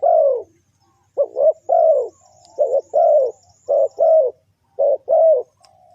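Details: Spotted dove lure call for catching birds: strong, low, soft-edged coos in short-long pairs, repeated about every second, with a long first note and thin high twittering faintly behind.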